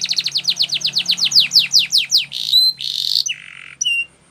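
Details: Canary song meant for training young canaries, in Spanish Timbrado style; a fast run of rising, sweeping notes repeated several times a second, then sustained high metallic tones and a lower buzzing note with short gaps.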